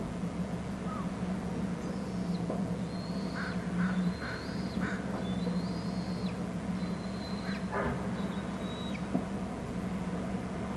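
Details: Hornby Island bald eagle nest, an adult arriving with food while eaglets show little interest; repeated high, level whistles with falling ends mix with a few short harsher notes, over a low, steady mechanical hum.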